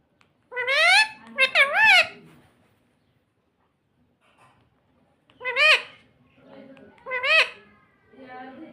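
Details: Pet talking parrot indoors, known for saying mummy and papa: two quick voiced syllables, then a long silence, then two more drawn-out, bending speech-like notes with faint murmuring behind.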